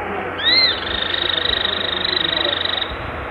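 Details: Cliff flycatcher (Hirundinea ferruginea) gives a high arched whistled note, then a long, even, rapid buzzy trill held for about two seconds, over steady background hiss.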